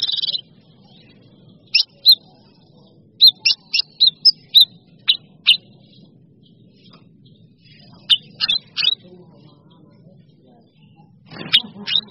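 A bulbul gives short, sharp, high chirps and quick bursts of notes in scattered groups, with a low background rumble.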